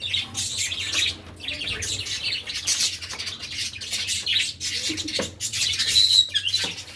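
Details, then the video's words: Cockatiel birds chirping while feeding in a village setting: steady high-pitched chatter of many overlapping tweets, with a low hum underneath and a sharper whistled note near the end. "Bird Chirping Sound | Cocktail Birds Feeding"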